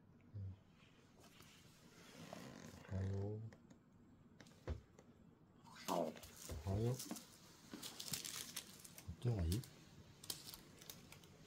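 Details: A large-billed crow softly and unusually quietly mimics "ohayo" ("good morning") in a few short, hoarse voiced bursts, with a person talking nearby and crinkling noises.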